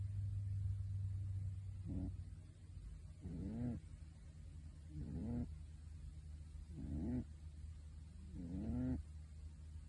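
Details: Pet pigeon asleep and snoring in a bird suit: low hoarse rising grunts with harmonic bands, each about half a second, repeated roughly every one and a half seconds over a steady low hum.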